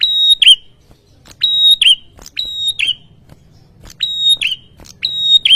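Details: Agitated ashy tailorbird answering a lure sound with repeated two-part notes: a flat, piercing whistle followed by a quick dropping twist, given in pairs about once a second, with sharp clicks between.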